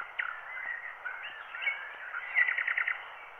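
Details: Wild bird song transferred onto a black wax cylinder at 90 rpm: varied whistled phrases and slurred notes, ending in a quick series of rapid repeated trilled notes, with the muffled, band-limited tone of an old recording.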